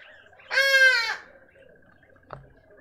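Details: Hornbill at a garden feeder in suburban Pretoria, South Africa, giving a single loud, nasal, strongly harmonic wail of about half a second, followed by a short knock, over a faint steady electronic tone.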